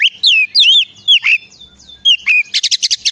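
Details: Oriental magpie-robin song used as a lure to prompt other magpie-robins to sing: loud, clear whistled phrases with rising and falling slurs, ending in a quick burst of six buzzy, chattering notes.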